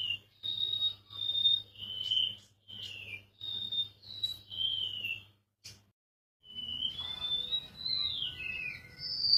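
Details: Golden-bellied gerygone giving a run of high, piping whistles, level and falling, in rapid series, then a pause and a long wavering whistle that rises before sliding down; low hum and faint rustling in the background.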